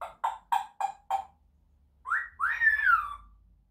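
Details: African grey parrot producing five short evenly spaced notes. These are followed by two rising whistles and a longer downslurred whistle, all with strong harmonics. There is a low rumble underneath.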